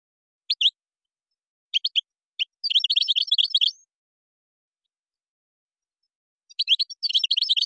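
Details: Moroccan-style song of a European goldfinch with gazarat and srrr bertbertio phrases: scattered crisp chirps build into a fast, twittering, slightly buzzy run. After a pause of nearly three seconds, a second rapid twittering sequence follows.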